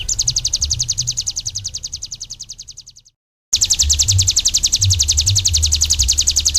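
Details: Ciblek gunung singing a sustained, rapid, buzzy trill of high pulses. It cuts off abruptly into silence, then resumes at the same pace, with a low hum in the background.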